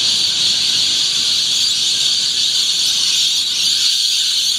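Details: Thousands of rainbow lorikeets gather at dawn at Yeppoon Main Beach on 1 June 2013, making a noisy display; an unbroken, hissing roar of shrill overlapping screeches fills every moment.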